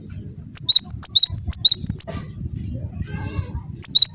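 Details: Cinereous tit (gelatik batu) lure call for drawing replies from other tits; a fast series of sharp, high, alternating double notes, a pause with a brief rasping sound, then the chirps resume.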